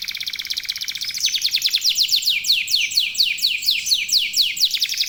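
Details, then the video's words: Local domestic canary singing nonstop, used as a lure to get other canaries singing: high buzzy notes give way to a long rapid series of falling sweeps, about two per second, with no other sounds. "KENARI LOKAL GACOR TOTAL, SEMUA IKUTAN BUNYI..PANCINGAN AMPUH BIKIN CEPAT GACOR"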